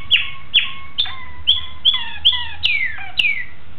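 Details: Malinois Waterslager canary recorded on 26 October 2012, singing a series of loud, clear whistled notes that slide downward, repeated about every half second with faint sharp clicks between them.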